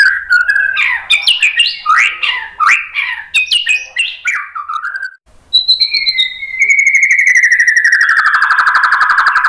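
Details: Song of a white-rumped shama, played to provoke rival birds into singing: rapid varied whistled and warbled notes, a short pause, then a long vibrating trill that slowly drops in pitch.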